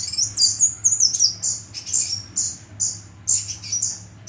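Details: Continuous high hummingbird chirping, bright squeaky notes sliding downward, delivered in quick uneven bursts.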